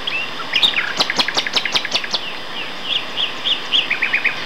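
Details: Two male Common Nightingales singing in May 2012 at Castor Hanglands near Peterborough: a short whistle, then a fast run of sharp percussive clicks, followed by fluty warbled notes and a quick chattering series, over steady background hiss.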